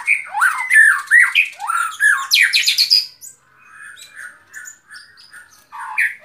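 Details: White-rumped shama song, presented for relaxation: about three seconds of loud, varied whistled phrases and harsh squawky notes, then softer, scattered short whistles and chips fading in and out, with a final loud burst.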